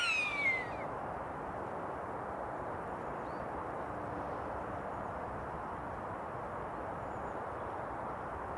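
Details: A common buzzard in flight, calling for a mate, gives a single clear, cat-like mew that slides downward and lasts under a second, followed by steady wind-like rushing noise.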